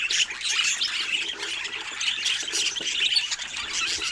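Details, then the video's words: Dense budgerigar flock chatter from birds of different colour mutations: rapid high squawks, tweets and warbling notes layered over each other without a break. "Budgie Colors and Natural Sounds"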